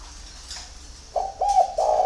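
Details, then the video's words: Early-morning spotted dove song after a second of near silence: a run of soft, low cooing notes, the last ones drawn out and steady. "CU GÁY SÁNG SỚM"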